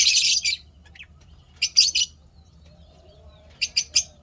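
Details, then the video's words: Lovebirds kept as pets and said to be happy, 12 May 2025, open with a loud harsh screechy burst, then two quick double chirps and a final run of three sharp high notes. "lovebirds chirping sounds happy"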